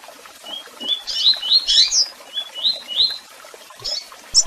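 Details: Tui tui song from a double-collared seedeater, with chirps and calls: rapid upslurred whistles with a rough, buzzy peak, then a second run of clear rising notes and high chips.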